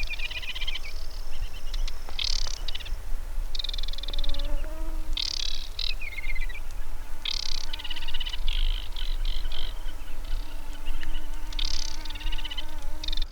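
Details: A male Aquatic Warbler sings on a sedge fen at Biebrza National Park, Poland, on a June 19 evening: quiet, short, high, dry rattling phrases, each followed by a few clearer notes, repeated every second or two over low hum and wind.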